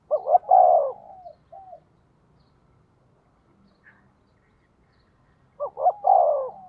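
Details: Decoy spotted dove calling to draw in wild doves: a stuttered coo phrase ending in a faint trailing note, a long pause of near silence, then the phrase again.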